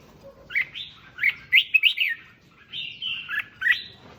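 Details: Red-whiskered bulbul song played to excite other bulbuls: lively warbled phrases of rising and falling whistles, two bursts of rapid chirps separated by a short pause.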